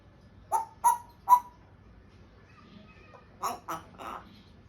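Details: Pet African grey parrot making sounds as it tries to speak: three sharp, ringing calls in quick succession, a short pause with soft whistles, then three harsher, buzzier notes.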